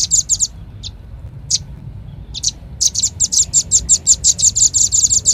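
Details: Velvet-fronted nuthatch call for luring: a few quick chips, scattered single high notes with silence between them, then a vigorous, evenly spaced run of sharp chips.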